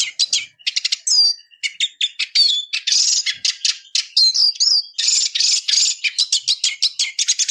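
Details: Eurasian siskin song: quick stuttering twitters broken by brief gaps, mixing sharp chirps, short trills and a few wheezy, buzzy phrases.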